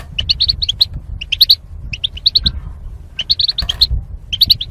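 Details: Caged goldfinches paired for mating and kept apart by wire barriers for singing training; repeated bursts of bright, tinkling twitters, each a quick cluster of chirps, separated by short pauses.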